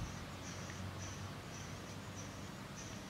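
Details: Rufous-browed peppershrike chicks in the nest with their mother give thin, very high hissing notes, repeated about twice a second over a steady low rumble.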